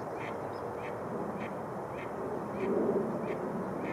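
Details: Mallards massing on partly thawed Rush Lake in New Brighton, Minnesota, in early spring; evenly spaced nasal quacks come roughly every half second over steady broad noise, with a brief louder murmur near the end.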